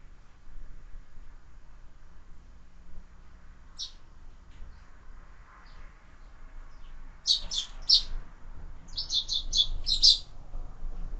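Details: Sparrows at a feeder mounted on a window, fed year-round: short, high chirps, one alone and then quick bursts of three to five in a row, over a quiet indoor background.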